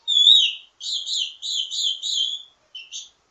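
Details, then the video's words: Ledekan, or teasing song, of a wambi mini in full song, a varied master song for training birds of the same kind: a clear rising whistle, then four buzzy high warbled phrases and a short final note. "Ledekan Wambi mini Full Gacor Banyak Vareasi"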